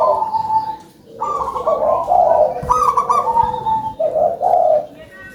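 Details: Loud coos from a local zebra dove noted for its big voice. Rolling, slightly wavering phrases rise and fall, separated by short pauses, over a soft background hiss.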